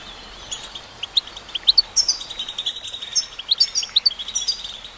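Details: Female goldfinch singing: rapid high twittering notes and short upslurred chirps, tinkling phrases packed together in bursts over a steady high background hiss.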